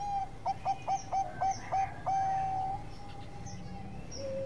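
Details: Lure song of a zebra dove, the Bangkok perkutut kind, used to set other perkutut calling: seven rapid, evenly spaced short coos followed by a long drawn-out whistled note that fades, with a softer low note after.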